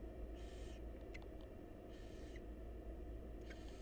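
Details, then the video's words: Begging from wild barn owl chicks in a nest box during feeding by their mother: two fairly soft hissing screeches about a second and a half apart, with faint clicks and scratches between, over a low rumbling hum. "Barn Owl Mom Lovingly Feeding Her Adorable Babies"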